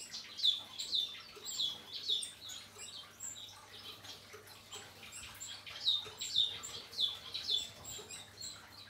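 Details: Series of brisk, high, bright chirps from a male painted bunting after its moult, coming in loose bursts of two or three with short pauses between, against a faint constant hum.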